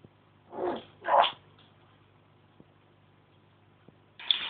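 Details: Captive African grey parrot at home chatting and making assorted noises: two short raspy, speech-like bursts close together, then a quiet pause and a sudden harsh squawk at the end.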